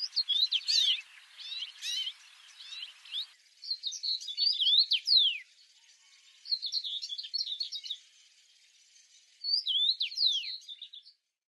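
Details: Several bouts of high, hurried song from a red-headed bird in the wild, sharp chirps and looping whistled slurs in clusters separated by brief pauses, over light background hiss.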